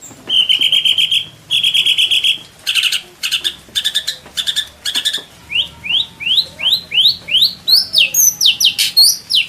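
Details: White-rumped shama (murai batu) song from Indonesia, used as full training material for songbirds and described as free of coughing notes: buzzy rapid trills, then loud slurred rising whistles repeated about twice a second.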